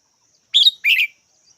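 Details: Red-whiskered bulbul calling with two quick bright chirps in close succession. The first is sharp and ringing, the second broader and scratchier. Faint steady high-pitched hum behind it.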